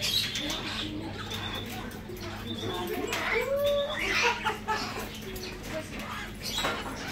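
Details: Ringed female white-crowned parrot giving a short arched, harmonic squawk near the middle, with scattered faint chirps and squeaks around it over a steady low hum and background noise.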